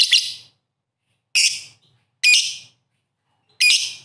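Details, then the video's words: Lovebird in lively, constant 'gacor' singing, giving four harsh, high, sharp chirp bursts, each about half a second long, spaced one to one and a half seconds apart, with a faint low rumble underneath. "lovebird gacor sekali burung ocean"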